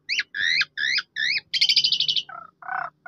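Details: Asian pied starling song meant to make a silent bird sing: four repeated two-part whistled notes, then a fast dry rattle and two lower nasal notes.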